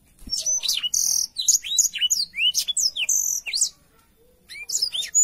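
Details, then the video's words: A black-throated canary in full song: bright, slurred whistles and quick downward-swept chirps in busy phrases, a short pause, then the song resumes. "BLACKTHROAT GACOR SUARA JERNIH"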